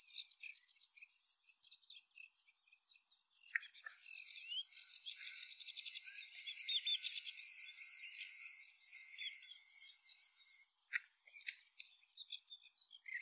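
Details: Singing sedge warbler at Anderstad, Lier, 17 May 2024. Rapid scratchy chatter gives way to a dense, rising buzzy trill with whistled inserts, then a pause and a few sharp, isolated high notes.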